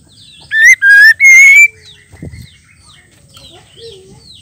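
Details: Female white-rumped shama call used to rouse males: a quick three-note whistled phrase ending in a long rising tone, followed by a soft thump and faint chirps in the background.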